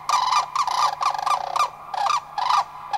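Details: Loud, harsh rattling trumpeting from three Sandhill Cranes, probably two adults and a juvenile, responding to a passing flock in Anchorage, Alaska, on May 1, 2011; rolling notes repeat in quick bursts about twice a second.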